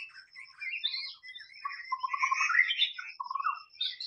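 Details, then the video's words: Dense, continuous stream of whistled and chattering notes from a white-rumped shama in the wild, with overlapping mid and high phrases and a faint steady high tone behind. "SUARA BURUNG MURAI BATU SUARA ASLI DI ALAM BEBAS"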